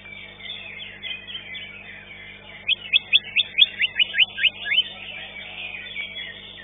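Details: A contest-singing green leafbird (cucak ijo), placed fifth, utters a string of about nine sharp upward-sweeping notes midway through. It is set against a constant background of many other singing birds.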